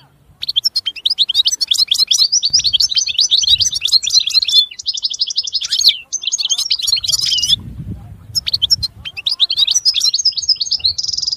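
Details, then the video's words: A European goldfinch sings almost continuously, stringing liquid twitters, rapid trills and a buzzy rattle together into long, high, tinkling phrases with only short breaks. "Chant Chardonneret تغريد طائر الحسون"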